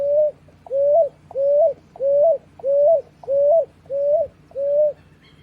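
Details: Picui ground dove nestlings giving a steady series of soft, mid-pitched whistled notes, each slightly rising with a small lift at the end, eight notes repeated about every two-thirds of a second against a faint low hum.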